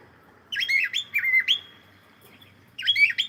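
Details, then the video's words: A playful cockatiel gives clear whistled notes that swoop down and up, a long held tone ending the first phrase, then a fresh burst after a short silence. "Cute Cockatiel singing and sound and playing"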